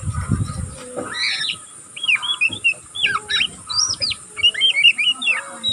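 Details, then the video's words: Young oriental magpie-robin still learning its song, twittering nonstop in captivity: arched whistled notes and slurred phrases repeated in quick bursts after a brief low noise at the start. "burung kacer pastol ngeriwik pastol paud masih belajar pokal ngeriwik tanpa putus"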